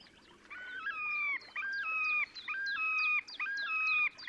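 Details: A Terek sandpiper gives its display song in the Oka Nature Reserve, Russia, on 30 April 2019. Rich, ringing, bracket-shaped phrases, each rising and falling, repeat about once a second over soft background hiss.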